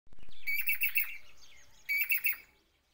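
Jacobin cuckoo giving a quick run of loud, ringing, metallic whistled notes, then three more after a brief pause; a few soft clicks at the start.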